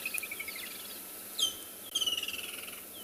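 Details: Woodland kingfisher calls heard from a vehicle stopped at a pan during a morning safari in South Africa, 3 December 2020: rapid descending trills and a sharp high note, with other birdsong around.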